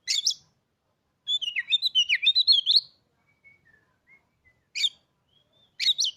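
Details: Caged Oriental magpie-robin, acquired three days earlier, opens with harsh notes before breaking into a fast warbling run of high whistled notes lasting over a second, followed by soft scattered whistles and further raspy notes.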